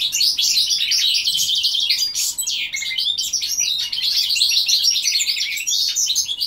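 A goldfinch × linnet hybrid sings a fast, unbroken stream of bright twittering and tinkling notes, with quick trills and buzzy phrases throughout.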